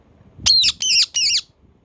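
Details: Pet parrot kept at home, shown as a talking bird: three harsh, high, buzzy squawks in quick succession, each about a quarter second long and slightly wavering, followed by quiet room background.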